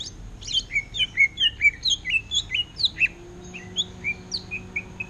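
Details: Caged greater green leafbird for sale, singing in an orange-headed thrush style: clear whistled phrases of downslurred notes repeated roughly twice a second, loud and rhythmic over a faint hum.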